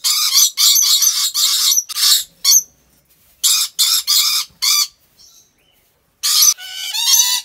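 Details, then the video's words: Rainbow lorikeets in a park collection in Aceh Besar, Indonesia, trading long rasping screeches almost continuously, with a gap and soft notes midway and a grating, wavering squawk to close. "Rainbow Lorikeet Sounds"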